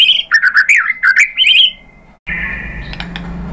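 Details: White-rumped shama singing a lure song to prompt other shamas: bright, looping warbled phrases rising and falling in pitch, then a fading held note and a short buzzy segment after a cut.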